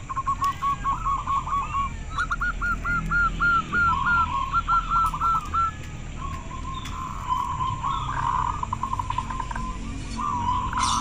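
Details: Local zebra dove, its clear song said to prompt others to respond: several overlapping series of short hooked coos, fast and rhythmic, running almost without pause over a steady background hum.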